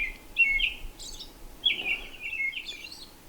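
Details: At a campsite on Johnson Lake near Ely, Minnesota, on 31 May 2021, an American robin carols in short, clear, rising and falling whistled phrases, in two bursts over a few seconds, with a faint steady hiss.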